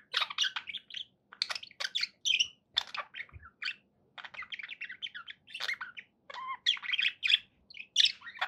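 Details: Pet budgerigars chatter steadily in a continuous stream of bright warbles, squeaky chirps and short whistled notes, with brief pauses, in a quiet indoor setting.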